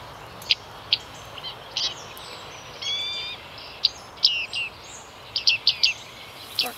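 Bearded reedling giving short, metallic 'ping' notes in irregular bursts, some doubled or clustered, high-pitched, over a steady background hiss.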